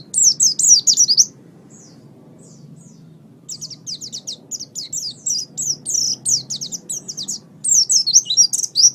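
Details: Pet oriental white-eye singing for a master recording used to train songbirds. Bursts of rapid, very high, squeaky slurred notes, broken by a silent gap of about two seconds, then a long lively twittering phrase.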